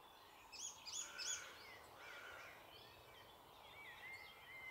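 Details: Icterine warbler singing in a thicket in the Alblasserwaard, Netherlands: a fast, varied jumble of high, scratchy and whistled notes with a few sharp chirps, over soft background hiss.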